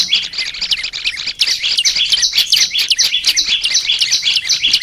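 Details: Olive-backed tailorbird, a small green-headed bird kept as a pet, in a recording used to train birds to sing steadily: dense, fast, high chirping notes, nearly three per second, with scratchy trills throughout.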